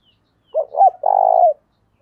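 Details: One spotted dove phrase used to lure and provoke males: two short upward coos followed by a longer, rapidly pulsing coo.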